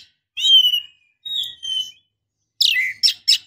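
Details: Female Oriental magpie-robin calling the male, used to make males aggressive, sing, or want to mate: two sustained whistled notes, then a harsh falling note and two scratchy chips.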